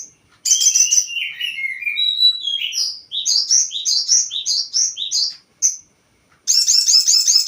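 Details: Crested jay lure sound to provoke other birds. Falling whistled chirps lead into a steady series of quick, evenly spaced high notes. After a brief silence, a loud, dense burst of fast chattering follows.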